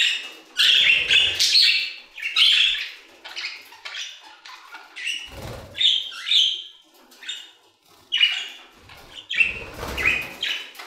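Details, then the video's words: Budgerigars in an aviary chattering in irregular bursts of scratchy, squeaky warbles and short whistles, with brief low thumps and quieter pauses between phrases. "Budgie Songs - 1 hour of Budgies singing in the Aviary"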